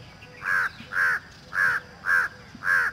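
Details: Peacock giving five loud, harsh, nasal calls in a steady series, roughly two a second, each short and arched, over a quiet background.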